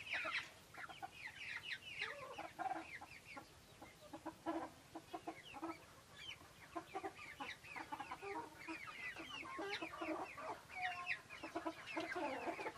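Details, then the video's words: Silkie chickens on a farm: many birds clucking and cackling at once, with dense, overlapping short calls and no pauses. "Incomparable beautiful silky chicken farm"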